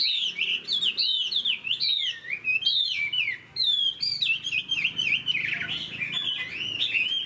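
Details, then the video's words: Caged Chinese hwamei in moult, singing a loud, varied run of rich whistled phrases that swoop up and down, with short pauses between bursts and a faint person's voice at the start. "Chim họa mi đang thay lông, bộ to đẹp, hót cao cầu"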